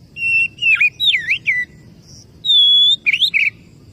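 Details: Whistled Oriental magpie-robin phrase aimed at a rival: steady opening note, slurred dips and V-shaped sweeps, a pause, a long even high whistle, then quick rising and trilled notes; faint hum behind.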